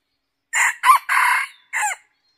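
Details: Red junglefowl crowing during decoy hunting; four harsh, broken bursts over about one and a half seconds, the longest a sustained rasping middle phrase, then a short, falling final note, with silence around.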